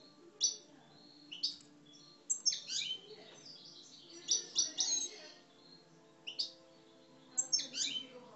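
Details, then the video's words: Caged Algerian parva European goldfinch, a 'coupleurs' songster described as aggressive. Loud, liquid chattering phrases come in quick bursts roughly every second, high and tinkling, with a faint steady low hum behind. "Mes Chardonnerets Parva Algeriens Coupleurs, Agressif"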